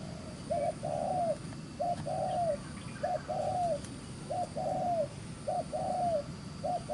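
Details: Spotted dove caught in the fields, neck spotting fine, cooing fast in the 'gù xiết' manner: steady series of two-part phrases, a clipped lead note and a longer falling coo, about six in seven seconds, faint low rumble behind.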